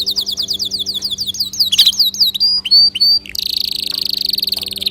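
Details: Canary, singing to get other birds singing: a series of rapid swooping downslurred notes, a few drawn-out whistles, then a dense high buzzing trill, over a soft low hum.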